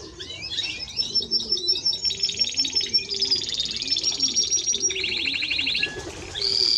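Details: Timbrado Español canary performing sustained rolling trills and rattles that shift in pitch every second or two, ending on a high whistled note, over soft background cooing.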